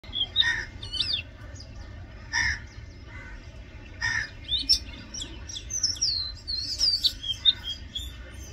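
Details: Oriental magpie-robin singing loudly: varied whistled and warbled phrases, some sweeping notes, in bursts between short pauses, with low steady background hum.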